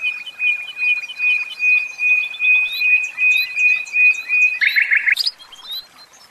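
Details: In a cage, a common nightingale holds one steady pure whistled pitch that pulses in rhythmic swells for over four seconds, then breaks into a short harsh buzzy rattle and a high flick before falling quiet.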